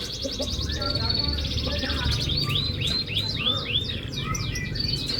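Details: Canary song used as a lure to prompt a silent canary to sing: high rapid trills, then a string of repeated upward-sweeping whistles, over a steady low rumbling background.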